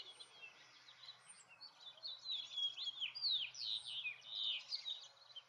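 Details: Male-style jumbled song of a house finch: soft twitters at first, then a loud, hurried run of rising and falling warbled notes and slurs from two seconds on, over a faint low hum.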